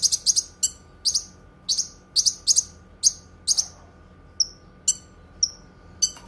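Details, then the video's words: Cucak kinoi singing: sharp high chirps and short rapid chattering bursts, spaced irregularly, with clean whistled notes near the end; faint steady hum behind. "Suara Kicauan Burung Cucak Kinoi"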